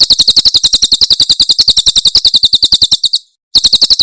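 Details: Javan prinia singing the tembakan style of Cililin, a recording for training birds: quick, high, metallic chirps in a tight even series, a short break, then more of the same notes.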